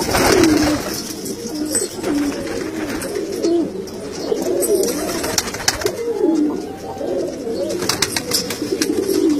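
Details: Kalsara pigeons heard in repeated low, rolling coos, each swelling then dipping, roughly every one to two seconds, over a background of rustling, wing flutters and scattered clicks.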